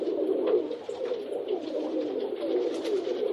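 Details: A group of rock pigeons gives a steady chorus of low, throaty rolling coos, blending into a dense hum, while occasional soft wing flaps sound through.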